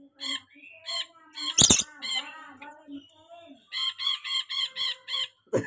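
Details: A very tame pet rainbow lorikeet gives harsh, nasal squawks in quick bursts, with one loud rasping screech and a closing run of six even, chattering notes.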